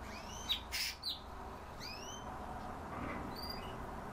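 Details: Himalayan bulbul (Pycnonotus leucogenys), call.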